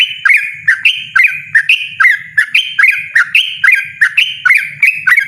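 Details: Yellow-vented bulbul delivering a loud, persistent ropel song: rapid bubbly whistled phrases, each a quick rise and drop, repeated about twice per second, with faint low background noise.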